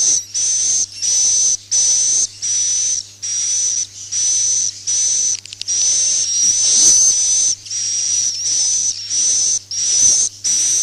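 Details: Swiftlet roosting call, used in Malaysia and Indonesia to lure swiftlets into nest houses: a series of high, buzzy, hissing chirps with a thin whistled edge, repeated about one and a half times per second over a low steady hum.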